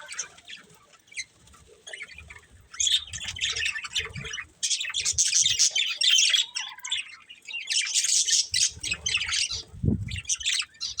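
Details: Quiet opening gives way to loud bursts of budgerigar chatter from a breeding pair, harsh squawky warbles in long runs, with a low thump near the end.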